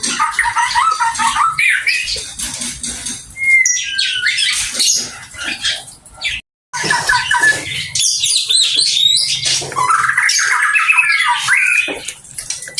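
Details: Oriental magpie-robin in full song, with rapid bursts of chattering, harsh squawks and bright whistled phrases, one clear slurred whistle near the middle, a brief pause, then renewed fast varied phrases.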